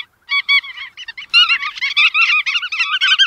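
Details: Bar-tailed godwit calls: quick, nasal, slightly wavering notes repeated about once a second and overlapping into a dense chattering chorus from several birds.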